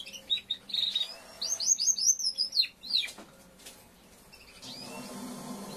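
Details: After moulting, a young male Timbrado canary tests its song with clear whistled notes, then a run of quick rising and falling slurs for about two seconds. Quiet follows, with a low rumble of background noise.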